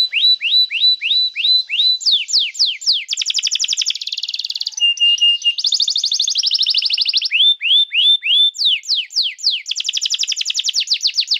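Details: Canary song used as master material to train young canaries and to restart canaries that have stopped singing: rows of quick falling whistled notes, then long buzzy rolling trills high in pitch, with more falling notes between them.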